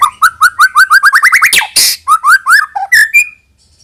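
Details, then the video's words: White-rumped shama song used to lure young birds into singing. A rapid series of clear, rising whistled notes speeds up and climbs, breaks into a harsh noisy burst, then resumes with a few whistles and ends on a long, thin tone. "suara burung MURAI BATU UNTUK MEMANCING MB BAHAN AGAR RAJIN BUNYI DAN GACOOR |SHAMA BIRD"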